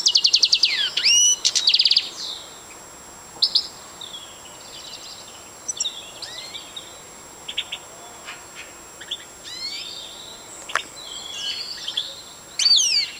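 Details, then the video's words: Siberian goldfinch singing: bright twittering phrases and high slurred whistles, loudest in the first two seconds, then scattered thin notes and trills with quiet gaps, ending in another loud burst; faint steady background hiss. "Siberian Goldfinch"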